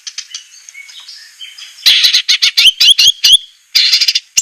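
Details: White-rumped shama from a masteran training recording for captive birds, rough 'tembakan kasar' style. Soft twittering gives way to loud, harsh, rapid chattering bursts with sharp upslurred notes, about two per second.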